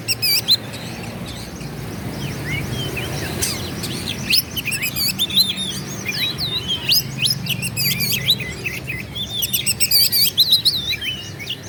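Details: Oriental magpie-robin singing a lure song meant to provoke rival birds into angry, tail-spreading responses; a dense run of sharp whistles, rising and falling slurs and rapid trills fills the clip over a low background hum.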